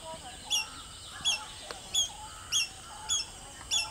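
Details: A Fulvous-breasted woodpecker searches a thorny tree branch for insects, recorded on 22 June 2020. Short, sharp, high notes with a downward flick repeat roughly every 0.6 seconds. There is faint background hiss.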